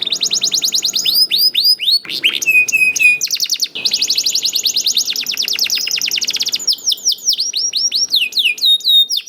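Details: Canary lure song from a young bird, meant to get other canaries singing. Looping whistled sweeps mix with fast rattling rolls and a short steady whistle, delivered continuously and loudly.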